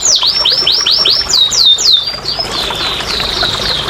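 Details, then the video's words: Canary song used as therapy to stimulate quiet canaries to sing: a series of high whistled notes sweeping down, repeated about every quarter second, then shifting to steadier warbled phrases. "TERAPI & PANCINGAN BURUNG KENARI MALAS BUNYI"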